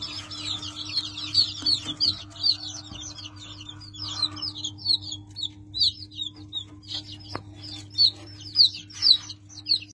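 Leghorn chicks peep continuously, high and thin, in quick overlapping notes about every half second; a steady low electrical hum runs underneath.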